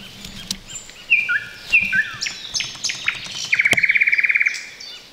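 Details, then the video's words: Thrush Nightingale (Luscinia luscinia), unseen but very close in roadside bushes in the Chornobyl Exclusion Zone, Ukraine, 2020, sings sharp whistled slurs then a fast dry rattle of about fifteen clicking notes in one second, with faint background birdsong. "Nightingale sings in the bushes!"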